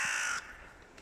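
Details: Hooded crow, one of two rival groups calling loudly as the mating season nears: a single harsh, broad caw lasting under half a second, then near silence with faint background noise.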